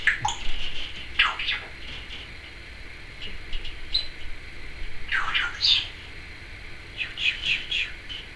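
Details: Pet Timneh African grey parrot saying trick or treat and other phrases: short scratchy, squawky speech-like bursts with pauses between them, while a person's voice comments in the background.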